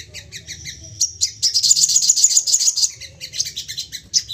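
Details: Crested jay, excited and calling in quick bursts, used to lure others into calling. Fast stuttering high notes swell into a loud continuous metallic rattle, then fade to scattered chips.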